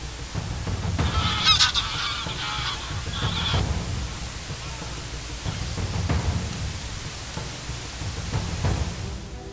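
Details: A Greylag Goose in a changeable December week gives a short burst of harsh, nasal honks over a few seconds, with low rumbling wind or background noise throughout.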